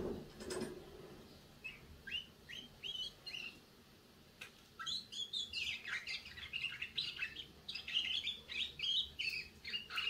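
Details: Young canary just beginning to sing: sparse short chirps at first, then a denser run of quick twittering notes and rising and falling trills in the second half, with a soft thud near the start.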